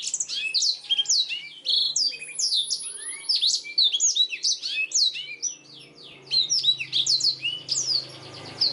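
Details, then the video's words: Gacor song of a black-throated canary used as a master recording for tutoring canaries, a dense continuous stream of quick high whistles, slurred notes and buzzy trills, with a faint low hum beneath. "BLACKTHROAT GACOR SUARA JERNIH UNTUK MASTERAN KENARI"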